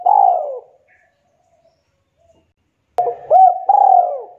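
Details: A spotted dove calling its companions. A falling coo fades out, followed by a pause, a sharp click, then a fresh cooing phrase with quick rising and falling notes that end in a drawn-out, descending coo.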